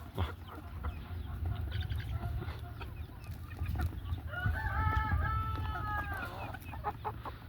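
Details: A young rooster, the son of the flock's main rooster and newly started crowing, gives one short, hoarse crow of about a second and a half amid grown young birds, over steady low rumbling and scattered clucks.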